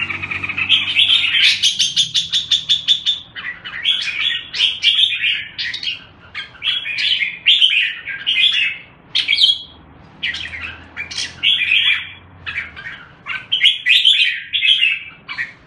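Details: Red-whiskered bulbul on a named bird food, giving a long run of lively chirping, warbling phrases, quick notes following one another with short gaps.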